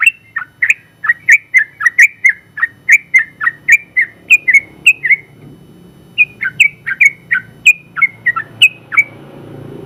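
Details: Champion trucukan, Yellow-vented Bulbul, delivering its long rapid-fire song for training other birds: steady series of sharp downslurred chirps, a one-second break, then more varied notes resuming.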